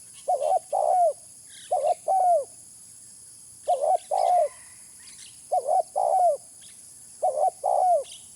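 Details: Spotted dove lure call: five evenly spaced phrases of soft burry coos ending in a descending drawn-out note, about one phrase every one and a half seconds, faint bird chirps above.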